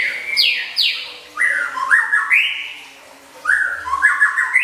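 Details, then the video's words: Caged Oriental magpie-robin singing a filled masteran song for contest training, with quick downslurred whistles followed by bright rising and level phrases, a pause, then more rising whistles over a faint low hum. "BERBAGAI MACAM MASTERAN ISIAN, SIAP MEMUKAU JURI"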